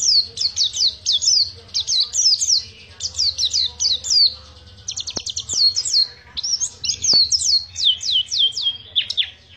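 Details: Oriental white-eye of the Pacitan type singing a long ngriwik-style song: rapid high, thin chirps sweeping up and down in tight bursts, phrases repeating about every half second with brief pauses, over a faint low hum.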